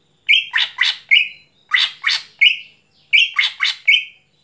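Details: Greater green leafbird singing busily at night, repeating a phrase three times: a steady whistle, then two or three coarse, grating notes, then another whistle. Clean, quiet background.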